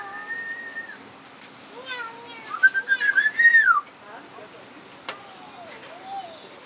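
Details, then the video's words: Parrot at the botanical garden in Deshaies, Guadeloupe, whistling a level note, then giving a rising and falling whistle over a rapid, raspy run of notes, with softer mewing whistles afterwards. "Parrot Saying Meow and Whistling"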